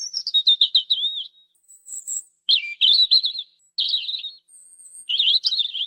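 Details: European robin singing: quick descending warble opening into rippling trilled phrases, then high thin whistles and further jumbled twittering bursts separated by short silences; no other sounds.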